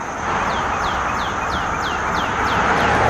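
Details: A Northern Cardinal sings a quick run of clear, falling whistled notes, about three per second, over a steady roar of road traffic, on forest trails in Illinois, USA.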